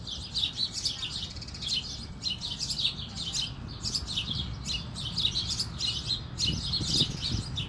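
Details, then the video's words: Sparrow sitting on a fence and communicating with other sparrows; a busy stream of sharp high chirps in quick bursts, several voices overlapping, over low rumbling background noise. "Sparrow communicating with other sparrows."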